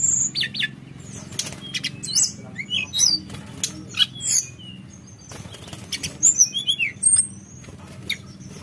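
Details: Fluting, rolling song (nyuling ngerol) of a Javan whistling thrush: sporadic high chirps and slurred whistles, busier toward the end, over a faint low hum.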